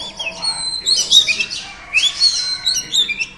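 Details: Female Oriental Magpie Robin singing to stimulate a male: a dense run of bright whistled and chattering notes, with sliding rising phrases and bursts around 1 and 2 seconds and brief pauses between them.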